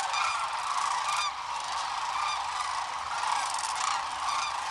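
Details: A big group of sandhill cranes lifting off in the morning along the Platte River at Rowe Sanctuary, Nebraska: countless rolling, trumpeting bugles overlapping into a steady roar with no pauses.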